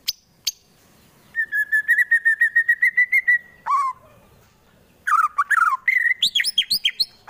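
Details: White-rumped shama, a caged fighter from Wonosobo, Central Java, Indonesia, singing to rile rival birds: a long even trill of steady mid-pitched notes, a low slurred whistle, then quick looping high phrases.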